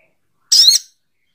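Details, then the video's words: Single harsh, high-pitched call note from a spiderhunter, locally called sogok ontong, brief and slightly descending, with silence around it. "Suara Burung SOGOK ONTONG"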